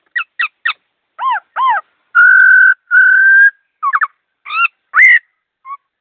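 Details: Laughingthrush song, fast and clear: quick clipped notes, arched harmonic-rich whistles, two long steady loud whistles, then more short slurs. The background is quiet.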